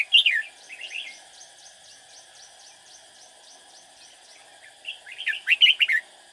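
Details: A red-whiskered bulbul, a quick-singing decoy used when trapping, opens and closes with bursts of fast, jumbled warbling, while an insect's even ticking fills the gap between.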